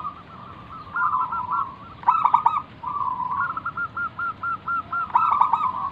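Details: Manggung song of a local zebra dove, used to lure other doves: a gentle coo, a quick stutter of notes, then a long string of evenly spaced pulsing coos ending in another staccato burst.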